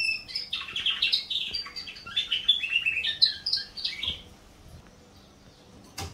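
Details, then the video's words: A canary sings a fast, varied run of high chirps, trills and rolling phrases for about four seconds, then falls quiet before a brief final note. "Kanarienvogelgesang ///Canary song"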